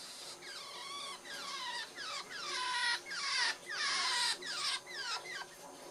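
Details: A one-year-old pet cherry Java sparrow being touched on the chest gives an affectionate song of soft, descending whistled notes with harmonics, about two per second, sweet and wavering, over a faint background hiss.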